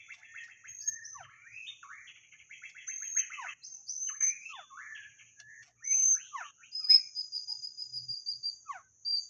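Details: Decoy white-rumped shama used to lure birds, delivering a long varied song of fluty whistles, quick descending slurs and short buzzy notes, broken by brief pauses, with a constant thin electronic whine behind it.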